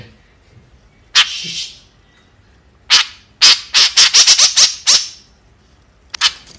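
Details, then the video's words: Kekep, the white-breasted woodswallow: a few isolated rasping notes, then a quick run of about eight harsh buzzy squawks, followed by silence and one last note. "Suara Burung Kekep Gacor | Kicauan Burung Kekep Gacor"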